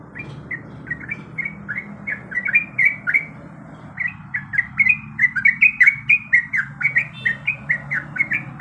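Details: Female yellow-vented bulbul in breeding condition calling the male: quick chattering run of short bubbly notes, each bending down then up, faster and louder in the second half, over a low steady hum.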